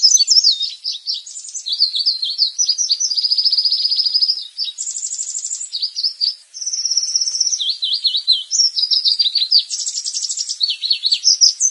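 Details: Leaf warbler on a lure recording meant to call in wild birds: a busy run of high, thin chirps, quick trills and rapid buzzy rattles, with sudden shifts between squeaky phrases and brief pauses.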